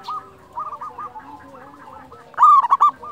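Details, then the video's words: Local wild-type zebra dove, recorded as a lure for training silent doves: a loud, rolling cooing phrase of quick stuttering notes near the end, after softer, repeated purring coos from other doves in the background. "Masteran pancingan perkutut lokal alam suara istimewa besar"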